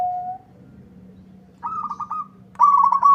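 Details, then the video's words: Local zebra dove singing to provoke a rival's answer; a short held low coo, then two quick stuttering high phrases in quick succession, over a low hum. "Suara perkutut lokal gacor bikin nyaut lawan"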